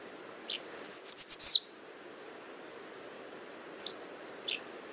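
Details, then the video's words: American redstart gives one high, thin song of about seven rapid, evenly spaced notes that climb slightly and end in an emphatic downslurred accent, followed by two brief, faint chip notes. "American redstart Calling."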